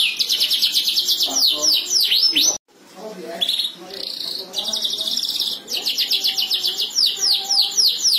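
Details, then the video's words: Canaries calling back and forth, fast high trills and repeated down-slurred whistles, a short break, then a buzzy burst and more rapid trilled phrases. "kenari bersiul sahut menyahut cuitan gacor burung kenari"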